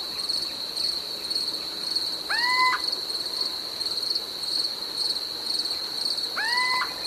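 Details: A Little Owl gives its territorial song, as the speaker has read it: a rising, whistled hoot about every four seconds. Each note sweeps up and then holds level, very regular in tone and spacing, over a steady high trill of crickets.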